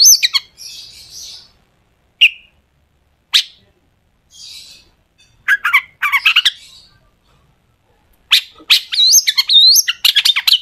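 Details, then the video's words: Long-tailed shrike lure sound with scattered sharp notes and soft hissing pauses, followed by louder bursts of harsh chatter and looping whistles near the end. "cendet gacor FULL ISIAN TEMBAKAN TAJAM untuk PANCINGAN CENDET AGAR BUNYI jadikan BURUNG PENTET GACOR"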